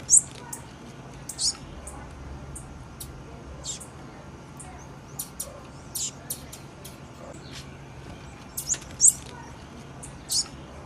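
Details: A female blue-black grassquit gives thin, very high tsip-like chirps, scattered singly and occasionally in quick pairs, over a low constant background hum.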